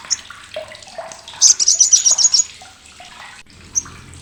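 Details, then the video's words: Sogok ontong, or olive-backed sunbird, kept as a master bird for contest birds because of its loud, sharp chatter: one quick high rattle of around a dozen notes amid scattered faint chirps and thin whistles. "CRECETAN SOGOK ONTONG"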